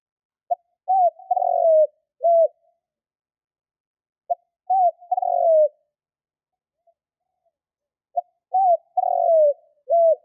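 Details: Lure call of a spotted dove for hunting, repeated three times about every four seconds. Each phrase is a short note, an arched coo, a long descending rolling coo and a final hooked coo. Quiet pauses between phrases.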